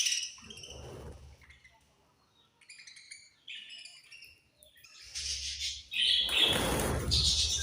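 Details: Budgerigars chirp while feeding: a run of short warbling twitters, then a loud stretch of dense, buzzy chattering with rustling noise.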